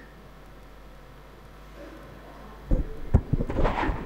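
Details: Quiet low room hum gives way to loud thumps and rustling knocks near the end, with no animal calls.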